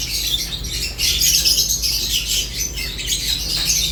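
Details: Several lovebirds feeding, giving shrill, thin chirps and scratchy squawks that blend into one continuous high chatter, over a low constant hum.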